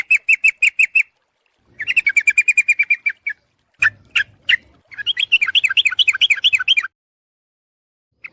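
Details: Lure call of a sooty-headed bulbul for drawing in birds: quick series of sharp, clear chirps, a few isolated louder notes in the middle, then a wavering chattering run before silence.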